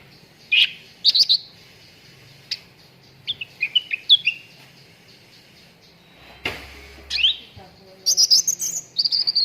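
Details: Cucak ranting song used to train contest birds: scattered sharp chirps and warbled whistled phrases, ending in a fast run of high notes.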